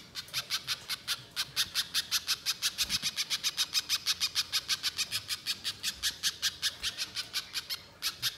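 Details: Long 'nyerecet' chatter of a spiderhunter, used as a lure sound in the wild: rapid repeated rasping high notes, about five per second, held steadily for the whole stretch with only a short break near the end.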